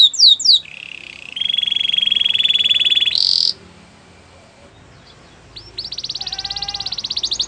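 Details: Belgian canary song with a long, steady, buzzy trill, then a pause and a second rapid, rattling roll. There is a light hiss in the background.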